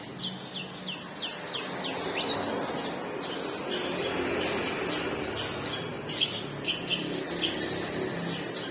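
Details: Long-tailed shrike with a split beak giving series of sharp, falling high notes at the start and end, with a quieter noisy gap between, over constant low background rumble.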